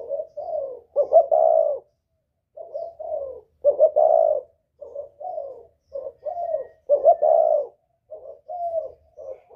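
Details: Spotted dove of the northern Vietnamese type with a whistle-like voice, used to draw in wild birds: a clear, mellow cooing, with phrases of two to four low rounded notes repeated every second or two against a quiet background.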